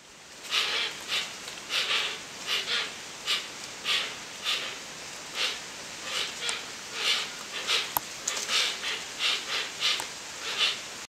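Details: Hoatzins by a river give hoarse, wheezy, breathy hisses, short rasping bursts repeated about every half second in an uneven series, with soft background noise.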